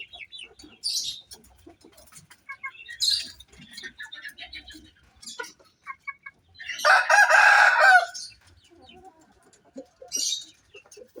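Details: A prized Bangkok-breed rooster gives one loud, harsh crow amid scattered clucks and thin high chirps.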